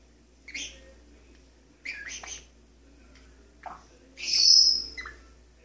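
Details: Pet Maximilian's pionus parrot, male, sings indoors perched on a kitchen faucet: a few short chirped syllables, a lower dropping note, then a long loud high whistle.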